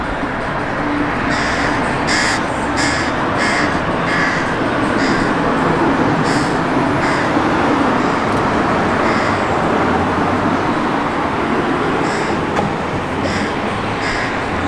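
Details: A newly fledged crow at a balcony bird table begs its parent for food with harsh, nasal, repeated caws in quick runs of several calls, pausing, then starting again, over steady road traffic roar.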